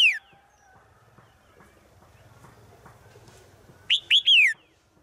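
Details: Daily call of a female bird summoning the male in the forest: a brief downward note at the start, a quiet stretch of soft background rumble, then three bright high notes.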